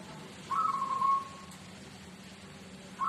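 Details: Local zebra dove from Tuban singing in the "seruling sakti" rhythm style: a short burst of soft, rolling, trilled cooing lasting under a second, then a quiet pause before the next phrase begins, over a low steady hum.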